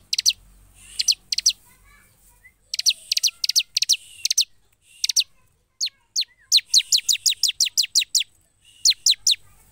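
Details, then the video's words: Energetic gacor song of a ciblek, the bar-winged prinia: bright, high, downward-sweeping notes, first in short groups, then a fast run of about ten evenly spaced notes, then a final pair. "Suara Ciblek gacor"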